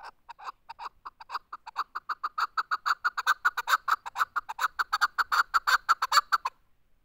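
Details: Loud, accelerating chukar partridge call: clucking notes start spaced, then quicken and swell into a rapid rhythmic chuk-chuk-chuk run before stopping abruptly.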